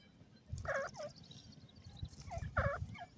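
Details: Grey francolin (desi teetar) from Sindh, with chicks mentioned: two harmonic, downslurred nasal notes about two seconds apart, each followed by a softer, shorter note, over low rumbling thumps and a faint background hiss.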